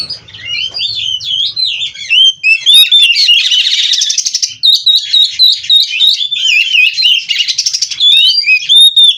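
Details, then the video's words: Sustained full song from a captive-bred oriental magpie-robin (kacer), 'gacor' with 'isian' fills: unbroken stream of looping whistles, twisting slurs and bursts of buzzy, rattling trills at high pitch. "Burung Kacer Gacor Full isian"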